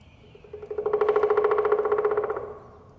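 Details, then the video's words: A Pileated Woodpecker drumming on a totem pole in Beaver Lake Park, Sammamish, Washington, USA, strikes about twenty rapid, hollow blows over two seconds, swelling then fading over a resonant wooden ring. "Pileated Woodpecker Drumming"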